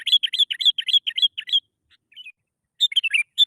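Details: Lure song of a sooty-headed bulbul, meant to set reluctant bulbuls singing: a fast run of repeated bright chirps, a brief gap with soft notes, then a tumbling burst of liquid phrases.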